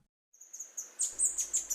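A tanager gives thin, very high chips. They start faint and then come as sharper, down-slurred notes about four times a second.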